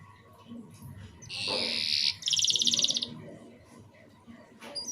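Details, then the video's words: Short broken canary song used as a lure to get young birds singing quickly; after a soft start comes a dense buzzy phrase, then a rapid rattling trill, followed by low background hum. "RANGSANGAN DAN PANCINGAN KENARI PAUD AGAR CEPAT BUNYI DAN GACOR - kenari lain langsung respon"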